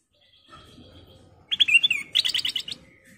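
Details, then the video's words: Bulbul (kutilang emas) giving a lure call meant to make other birds sing: after a quiet start, a burst of bright chirps, then a rapid run of about eight sharp, ringing notes, with faint low rumble beneath. "Suara Panggilan Kutilang Emas Gacor , Pancingan Kutilang Emas full isian"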